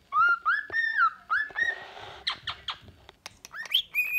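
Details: A smoke-pied cockatiel sings a serenade: a run of clear whistles, some level and some sliding upward, between harsher chattering notes.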